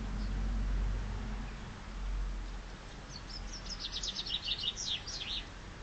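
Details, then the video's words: Chaffinch singing in spring: one phrase of rapid, high, sharp notes that step downward and quicken into a closing flourish, heard after several seconds of low rumbling background noise. "Chaffinch singing spring's praise!"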